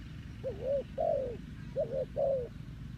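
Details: Decoy spotted dove calling to lure wild doves into a trap: two soft, hooting coo phrases, each a quick upswept note then a drawn-out descending coo, against a low rumbling background.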